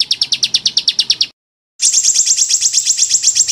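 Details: Rapid-fire 'tembakan' song of a small bird, played to train competition songbirds: a string of crisp, high, evenly spaced chirps. After a brief silence comes a faster, higher, buzzier trill.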